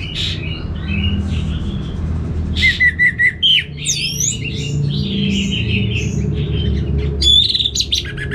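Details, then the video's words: Orange-headed thrush in full, lively song: varied whistled and warbled phrases, some sliding steeply up and down, others short rattly notes, delivered in bursts over a steady low hum. "ANIS MERAH Langsung Gacor Nyaut"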